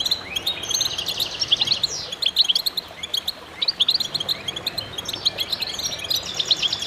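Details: Goldfinches singing in concert, dense high twittering with rising slurred notes and rapid chirp series, overlapping voices throughout.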